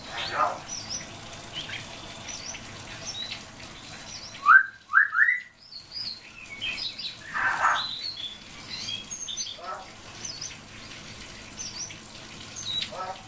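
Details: A common hill myna calling to its friend, giving a quick pair of loud rising whistles, meant as the name "Snezhok", with scattered harsh and chirping notes around it over steady hum.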